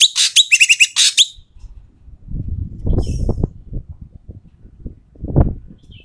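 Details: Loud, harsh Asian pied starling calls, used to lure quiet starlings into singing: a rapid string of rasping, grating notes for over a second, then low thumping and rumbling noise with a brief faint chatter.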